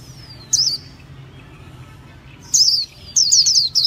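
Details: Three bright bursts of high, tumbling chirps from a Japanese white-eye, set apart by a couple of seconds of near silence.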